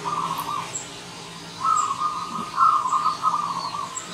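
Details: Wild zebra dove arriving as a visitor: one short trilled coo, a pause, then a long vibrating cooing run, with thin high chirps of another bird behind.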